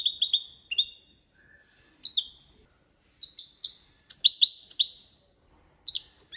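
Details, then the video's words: Goldfinch performing a copia Malaga training song: clipped, high liquid chirps and quick twitters in short phrases, with one softer lower whistle in between and brief pauses. "Jilguero Cantando la copia malaga _ Goldfinch bird singing the wonderful sounds for training songs"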